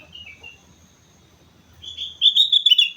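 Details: Sooty-headed bulbul in full song on Mount Slamet: a soft, lower two-note whistle, a quiet pause, then a loud tumbling run of quick, bubbly whistled notes.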